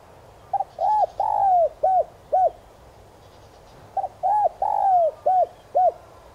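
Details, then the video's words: Decoy spotted dove singing the standard 'son' voice to lure wild doves. Two matching coo phrases about three seconds apart. Each has a soft double pickup, then hollow coos with a long falling middle note. "Chim cu gáy kích bổi nhanh nổi hiệu quả/Cu đất gáy GIỌNG SON CHUẨN kích bổi nhanh gáy/cu gáy mồi cây"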